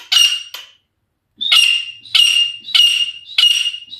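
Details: Wild female grey francolin calling: loud, harsh, squawking notes with a ringing tone, given in a brief pair, then a pause, then a run of four or five rapid, evenly spaced calls.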